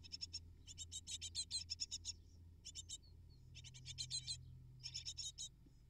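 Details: Great tit nestlings, eight in the brood, calling for food while parents feed them; scratchy, pulsing rasps in fast clusters, a few thin whistled notes between groups, low hum behind.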